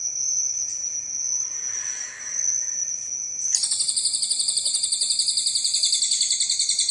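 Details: Cililin recorded as a master track for training birds: after a steady high whine, a fast run of buzzy, pulsing high notes repeats about four times a second for several seconds, with a continuous high insect-like drone throughout.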